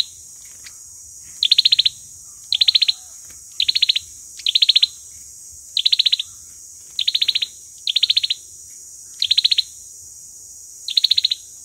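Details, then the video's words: Olive-backed sunbird fighting song used as lure audio for trapping, with tight bursts of five to seven high, rapid chipping notes repeated about every second, nine bursts in all, against a quiet background. "sâu dừa hót đấu"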